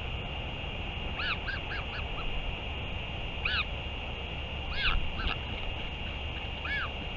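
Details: Return and feeding of a northern royal albatross, 31 May 2023: scattered short, bowed calls with strong overtones arrive in small clusters every second or so, with steady background hum and low-frequency rumble throughout.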